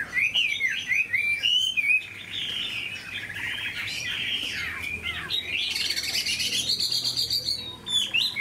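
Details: Chinese hwamei kept in a cage, producing a dense, continuous warbling song of bright whistles and rapid trills, climbing higher in the second half with a ringing, strident tone.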